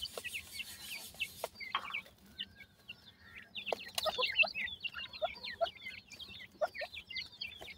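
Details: A brood of baby partridge chicks, seen teetering strangely, chirps busily: a hiss at the start gives way to dense, high, rising-and-falling peeps with occasional knocks.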